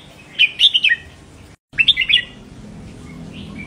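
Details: Red-whiskered bulbul song, a professional 'double' style used to stimulate caged birds. Two quick warbled phrases of four or five bright, sharp whistled notes, the second phrase repeating the first after a short gap, over a low background hum.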